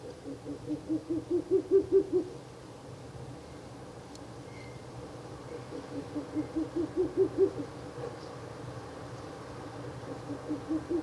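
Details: Ural owl at a nest box after dark on 16 April 2024, third night of visits, repeating three bursts of fast, low hoots, each run rising in loudness before stopping.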